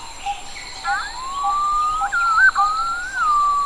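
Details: A yellow-footed green pigeon (Treron phoenicopterus) in Sri Lanka gives a long, mellow, fluty whistle that rises, then wavers up and down in warbling turns, over a faint steady hiss.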